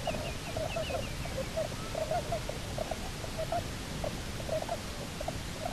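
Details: A Bermuda petrel (cahow), one of a pair that returned to Nonsuch Island, Bermuda, on 29 October 2018, gives a rapid, gobbling series of short mid-pitched notes, about four a second, over a steady low rumble of wind or surf.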